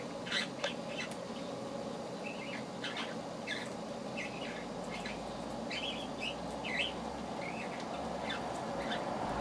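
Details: Cockatiel named Roxy, a pet in fine health on 13 September 2009, gives short chirps and warbled, wavering whistles every second or so over a steady background hum.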